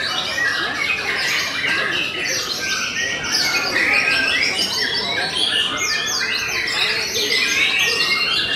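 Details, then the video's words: Steady-singing white-rumped shama of the Belanda type: a busy, unbroken stream of high whistled notes and chirpy trills, about two or three short phrases per second, rich and varied. "TOP CERR🔥 Murai Batu BELANDA Memang TOP - Masih Stabil"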